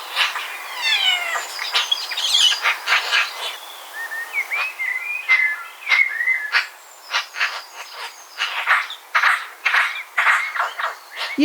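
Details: Eurasian Magpie in a Hampshire, UK garden in 2020 quietly chattering to itself: squeaky whistles, short rising chirps and dry clicking bursts run together without a fixed pattern for about ten seconds.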